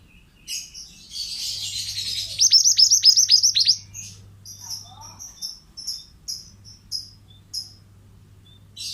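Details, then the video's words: Pied bushchat singing, a recording meant for training other birds: an opening harsh buzzy burst leads into a quick series of sharp, descending high notes, followed by spaced short chirps repeated every half second or so. "BURUNG MANTENAN GACOR--MASTERAN AMPUH"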